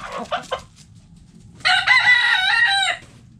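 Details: In a backyard coop, a few short clucks come first, then a rooster gives a full, loud crow of over a second, rich and steady before tailing off.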